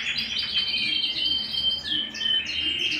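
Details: Domestic canary in song indoors, fast chattering trills giving way to a long, pure, steady whistle, then a quick rising flourish and renewed rolling notes.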